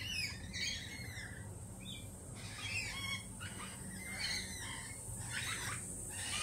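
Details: Lorikeets uneasy since a Peregrine Falcon attack earlier in the week keep up an almost continuous chatter of harsh, screechy squawks and shrieks, several birds calling together over background hiss.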